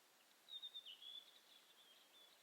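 A western yellow wagtail gives thin, high, drawn-out calls: a few quick notes, then a faint wavering thread over a soft background hiss.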